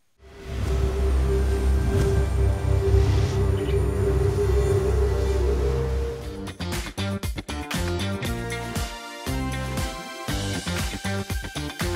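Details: Dark, droning soundtrack music with a sustained low tone that breaks into choppy, percussive rhythmic hits; no animal voices can be picked out.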